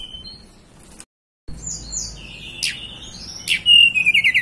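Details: Mountain blue flycatcher of local Banten origin, Indonesia, giving high whistled notes and short sharp chips, ending in a loud run of rapid, pulsing, descending whistles.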